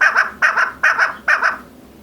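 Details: Female chukar partridge calling loudly: four harsh, doubled chuck notes in a steady rhythm, each pair a little under half a second apart, then a short fade with no other sounds.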